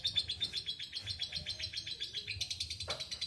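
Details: Lovebird in a long chattering song, a rapid string of harsh buzzy notes about five per second, evenly pulsed and continuous, ending with a short squeaky note.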